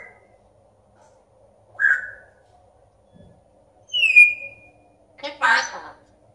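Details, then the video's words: Red-tailed African grey parrot, said to talk Spanish, gives three separate sounds in a quiet room: a short clear whistle, a bright falling whistle, then a hoarse, speech-like squawk. "loro yaco hablando español"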